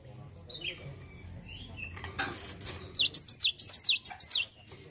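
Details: Java sparrow lure meant to get a lazy bird singing; a few soft chirps and a brief rattling clatter come first, then a quick run of about seven high, falling chirped notes.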